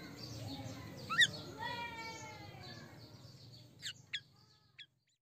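Black-winged Starling giving a sharp rising squeak, then a run of descending harmonic whistles and three loud clipped chips, over a steady low rumble.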